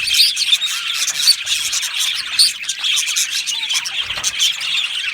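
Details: Australian budgies in a colony aviary keep up a constant high twitter, clear squeaky notes popping out over a hissing, crowded background of chatter.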